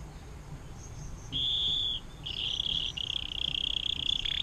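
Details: Canary singing long water-fountain ('air mancuran') song, used for tutoring songbirds: a half-second high buzzing roll, a pause, then two more sustained rapid trills separated by a short break, over quiet background noise.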